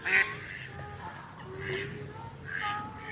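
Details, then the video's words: Duck heard outdoors giving a few soft, rasping quacks spaced over three seconds, with low steady background hum and faint tonal notes underneath. "duck sound"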